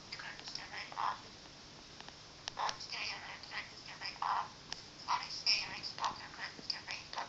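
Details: A princess parrot mutters and chatters in short, quiet bursts, some harsh and some speech-like, spaced irregularly over several seconds in a quiet room, apparently telling off its owner's feet.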